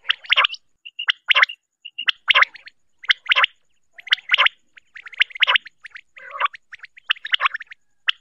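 A female common quail gives harsh, raspy, gargling bursts about once a second, with brief higher chirps in between; nothing else is heard.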